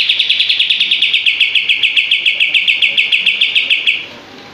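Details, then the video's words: A sustained four-second rattle of rapid, closely spaced sharp notes from a common iora, called kapas tembak for these quick 'shots', sung energetically with tail open, ending abruptly into silence. "Masteran Kapas Tembak Gacor buka ekor"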